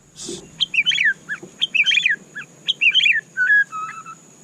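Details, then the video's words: White-rumped shama delivering short bursts of quick, high, twisting chirps in rhythmic phrases, ending with two lower, smooth whistled notes; a brief noisy scratch at the start. "Dengarkan suara candu Murai Batu ini"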